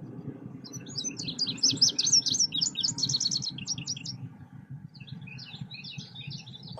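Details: Selendang biru songbird song used as a trapping lure: fast, high, twittering bursts of varied chirps and trills, a dense phrase for about three seconds, then a pause and a shorter burst, over a steady low hum.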